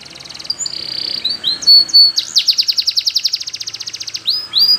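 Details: Belgian canary singing for training: soft buzzing start, a couple of clear whistled notes, then a long fast pulsed trill that ends in two rising-then-falling whistles.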